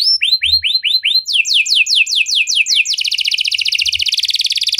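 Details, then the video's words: Canary singing an ornate song: rising whistled notes, then a fast series of descending sweeps, ending in a dense rapid rolling trill. "Burung Kenari Mana Saja Pasti Ikut Gacor Setelah Dengar Kenari Cengkok Mewah Ini"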